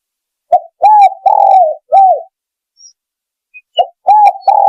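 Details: Lure call of a spotted dove, used to draw in birds: a clipped opening note and a run of mellow, slightly falling coos, a pause, then the phrase beginning again.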